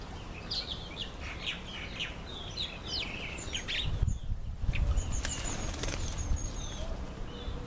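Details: Several red-faced mousebirds in a nectarine tree chatter with rapid high chirps and thin whistles. A brief burst of wing flapping comes midway, then more sharp, high notes.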